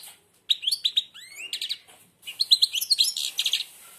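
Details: {'caption': "Blind European goldfinch singing with its beak almost closed: rapid twittering phrases of bright notes and rising and falling slurred whistles, mostly high-pitched, in two bursts separated by a short pause, with a man's encouraging voice around it."}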